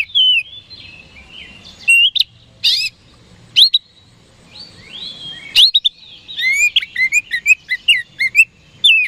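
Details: Oriental magpie-robin (kacer), a songbird kept for singing contests, singing to provoke rival birds into responding: loud whistled notes and slurred upward sweeps, then a quickening series of sharp descending chirps; faint low hum beneath.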